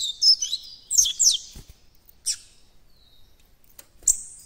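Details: Young White-throated Seedeater starting to develop its song of the encarte style: scattered high, thin chirps and twittered slurs, with gaps of silence between short bursts.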